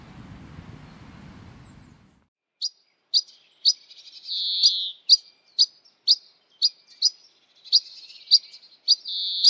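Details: European pied flycatcher (Ficedula hypoleuca) gives sharp, high 'pik' calls about twice a second, with short buzzy notes between them, after a brief low rumble at the start.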